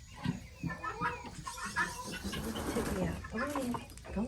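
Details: Flock of guineafowl being locked up to roost at night give harsh, overlapping chattering calls in quick, uneven bursts while a person talks quietly nearby.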